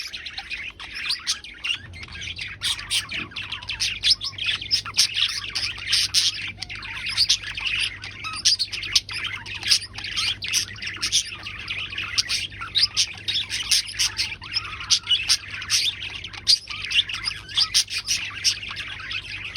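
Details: Budgerigar (Melopsittacus undulatus), chatter.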